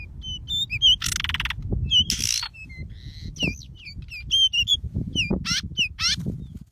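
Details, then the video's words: Decu, a wild-caught bird, singing outdoors: varied short whistled and squeaky notes, quick up-and-down slurs and buzzy bursts in a busy chattering stream, over low rumbling background noise. "burung decu hasil pikatan mantap"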